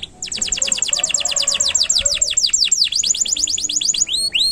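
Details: Canary singing a long, lively song meant as a master recording for training young songbirds: rapid repeated high downward-sweeping whistled notes, about four to five per second, ending in a few rising clear whistles.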